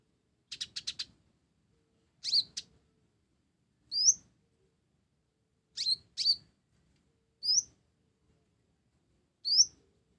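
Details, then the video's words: Sunbird of the blorok type, singing actively with sparrow-like phrases: a quick four-note rattle, then sharp upslurred whistles repeated about every one and a half seconds, in otherwise clean silence. "Kolibri Ninja Blorok Gacor isian Gereja"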